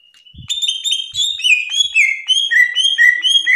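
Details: Greater green leafbird ranked top nationally, pouring out a continuous masteran song of fluid whistled notes, sliding up and down, steady and melodic, with soft clicks early on.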